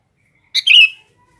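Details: Sooty-headed bulbul calling to females: one loud, brief, sharp chirp with a short harsh lead-in, then silence.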